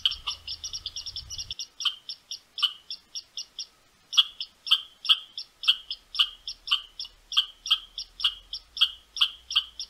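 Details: A Western Meadowlark, returning to a boreal feeder site in Ontario, gives sharp, dry churt notes: a quick chattering burst, then single churts repeated about twice a second. A faint low rumble is heard at the start.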